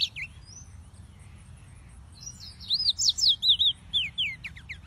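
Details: After a quiet start with a few soft notes, yellow-fronted canary (Serinus mozambicus) song builds into a rapid sequence of high repeated zigzag whistles. Light background hum.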